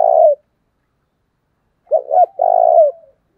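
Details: Spotted dove kept as a decoy to provoke wild birds, ending one drawn-out coo, then after a silence repeating its phrase of two short coos and a long, pulsing low coo.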